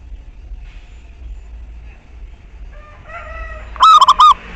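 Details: Local zebra dove used as a lure to make other doves sing; after a quiet stretch, a few thin tonal notes lead into a single loud, rippling coo phrase near the end.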